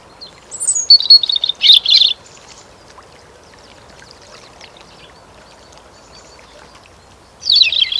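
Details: In spring, a European robin sings a high, thin, warbling phrase of quick tumbling notes, falls silent for several seconds, then starts another phrase over a faint outdoor hiss.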